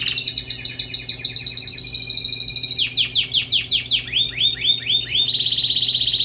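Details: Canary singing a fast rolling trill of descending sweeps, then slower deep downward-swept notes around the third second, followed by hooked rising notes and a steady high buzzing trill at the end; faint low hum in the background.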